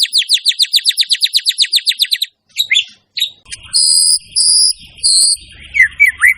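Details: Vigorous white-rumped shama song with a full repertoire. A rapid run of sharp high notes gives way to varied whistles, then three long, high, buzzy sustained notes and final short slurred whistles.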